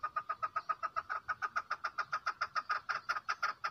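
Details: Rapid, even series of clipped clucking notes from a female chukar, roughly five per second without pause, with faint higher chatter behind.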